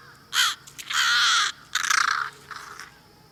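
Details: American crow mobbing call, summoning other crows to help mob a predator: harsh, loud caws, one long drawn-out rasp, then a rapid burst of grating notes, with other crows calling and approaching in the background.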